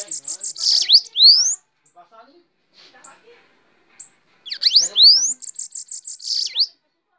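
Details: A Bananaquit from Paraíba, Brazil, singing while perched on a hand: high, thin, buzzy phrases of rapid ticking notes and rising sweeps in two bursts, with faint low voices between them.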